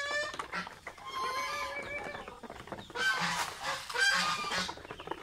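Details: Pet geese eating mango give a run of loud, nasal, trumpeting honks, several birds overlapping and calling in quick succession, with bursts of rustling and munching noise in between; goose.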